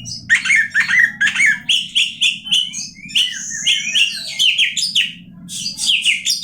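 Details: Oriental magpie-robin in full song: rich, continuous whistled phrases with rapid trills and slurred notes, pulsing in quick bursts above a faint low hum.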